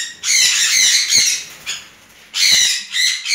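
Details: Two tame juvenile red-fronted conures calling: long grating squawks, one sustained for over a second, then a shorter burst after a quiet pause, harsh and noisy throughout.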